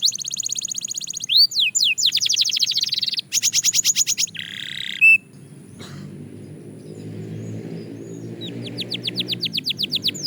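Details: Belgian canary singing practice: rapid trills, falling whistles and a short buzzy burst, then a pause with low background hum before soft high trills return.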